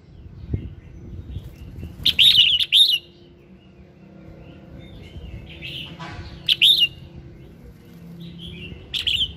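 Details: Morning singing of a red-whiskered bulbul, played to coax other birds into song: loud warbled whistles in bursts about every four seconds, with faint softer notes between and low background rumble and a knock.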